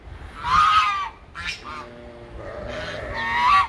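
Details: Farm geese honking among ducks, pigs and sheep: a loud nasal honk, a short broken call, then a rising pair of honks at the end, with low murmuring between.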